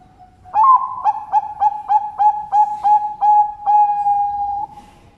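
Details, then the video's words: Captive zebra dove at a bird farm in Sidoarjo, East Java, Indonesia. About ten clear, rhythmic cooing pulses roll on a steady pitch and end in one long drawn-out coo, against a quiet background. "SUARANYA BIKIN NAKSIR"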